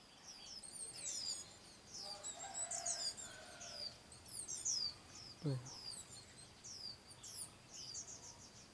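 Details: Swinhoe's white-eye chicks, fed by both hard-working parents, give thin, high, rapid chirps in clustered bursts, begging as food arrives; one chick with a white tail feather eats heavily. A low thump and faint background noise are also heard.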